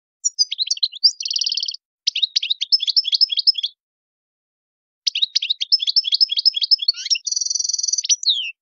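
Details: Tadmait-style European goldfinch song, strong and lively, used to train young birds to sing without mistakes. Twittery notes lead into a nasal buzz and rapid trilled series. After a pause, another trill ends in a rich, sustained buzzy note.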